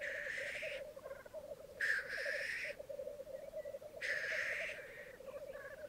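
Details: Morning lek of black grouse on a Mykland bog in May 2022, twelve males and two females present; low rolling bubbling continues beneath three long, loud, rasping hisses about two seconds apart.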